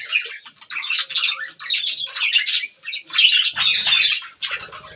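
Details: Pet budgerigars feeding on green food give busy, scratchy chatter broken into short bursts of high squeaks and warbles, with a brief low buzz toward the end.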